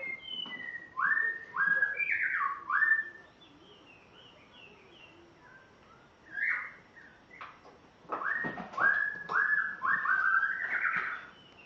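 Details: Spotted morning-thrush (Cichladusa guttata) from Tanzania, on its first day at its new home: rich, loud whistled notes in quick sliding phrases, a quiet gap mid-way, then another run of falling and rising whistles.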